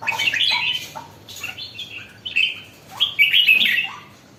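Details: Red-whiskered bulbul, kept as a pet and becoming lively, gives scattered bright warbling phrases, each opening with a low rising note, separated by short gaps in a quiet room.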